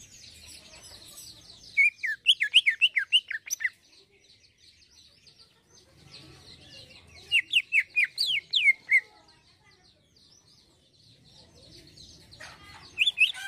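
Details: Greater green leafbird singing vigorously in the 'isian halus' fine fill-in style: two bursts of rapid, sharply down-slurred whistles, each about two seconds long, separated by quiet gaps, with a third burst starting at the end.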